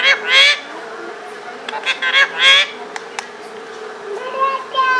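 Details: A pet parrot, said to talk in Pashto, makes harsh, rasping, speech-like bursts with a few short clicks between them and faint whistled notes near the end.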